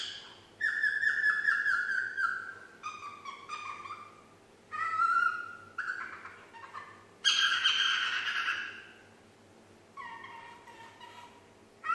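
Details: Pet female parrot aged nine months attempting the Yankee Doodle melody; phrases of sliding whistled notes, some stepping down in pitch, one rough raspy passage, separated by brief pauses over faint hum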